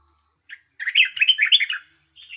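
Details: Nightingale song: one short note, a pause, then a loud, fast jumble of bright chirps and trills lasting about a second. A softer phrase follows after a brief silence.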